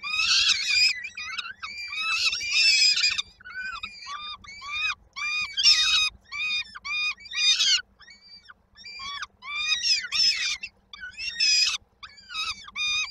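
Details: Peregrine falcon chicks in Koszalin, Poland, on 19 May 2022, begging while they wait for their mother to bring supper: harsh, wailing, harmonic cries in dense overlapping bursts, pausing briefly between volleys.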